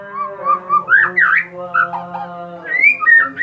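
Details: White-rumped shama (murai batu) of the Medan type giving varied mid-pitched whistled phrases with swooping notes, over a steady low hum in the background.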